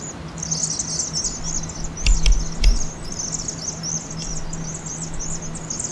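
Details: Migrating Vaux's swifts circling at dusk before entering a campus roost chimney in Eugene, Oregon, in fall, played 2.5 times fast: thin high chips massed into steady chatter, broken by two dull thumps, low hum behind.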